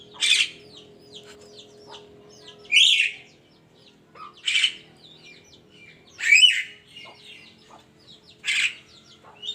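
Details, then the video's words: Morning calling of a Javan myna: five loud grating squawks spaced roughly every two seconds, amid busy high-pitched chirping of other birds and a faint steady tone. "kicauan burung kerak di pagi hari"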